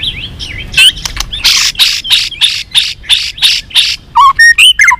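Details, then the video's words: White-rumped shama song to provoke rivals: rhythmic harsh, rasping bursts repeated about every third of a second, mixed with short whistles, ending in a quick run of clear whistled notes. "chòe lửa hót líu dụ bổi đấu kích lên lửa hiệu quả.kích chòe lửa hót đấu.kích lửa hót nhiều giọng"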